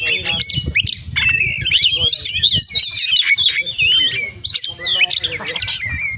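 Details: Oriental magpie-robin in vigorous song rich in imitated phrases. Dense tumbling whistles and warbles run without pause, with sharp clicking notes and rising and falling slurs, over a faint low background.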